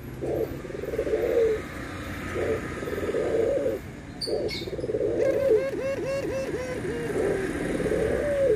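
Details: Cooing of white and brown Barbary doves being compared: repeated low, rounded coo notes, then a quick rolling series of arched coos. Faint chirps and a low background rumble.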